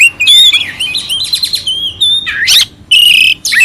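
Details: Oriental magpie-robin singing a clear, harsh-filled song used to rouse another magpie-robin: loud whistled notes, sliding rising and falling phrases and a buzzy burst, broken by short pauses.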